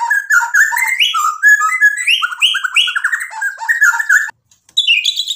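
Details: Loud, varied song of a gacor white-rumped shama, dense whistled and chattering phrases crowded together without a break, then a brief silence before the singing resumes; played as a lure to excite other birds.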